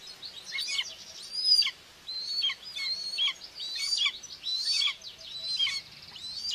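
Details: Common buzzard female feeding two chicks at a nest in Tiszalök, Hungary, June 2, 2024; high, piping whistles with downward-bent endings, delivered in rapid clusters with a short silent break in the middle.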